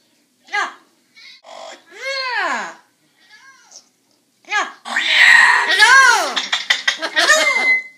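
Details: A pet double yellow-headed Amazon talks in short, human-like phrases such as "hello" and "how are you" with rising and falling tones, ending in a longer burst of loud, squawky chatter and a thin whistle.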